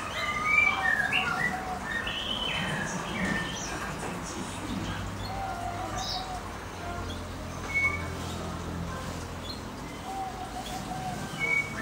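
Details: European goldfinch × Timbrado canary hybrid chicks from the pair's first clutch give busy, overlapping high chirps and short twittering notes, several a second, over a low steady hum.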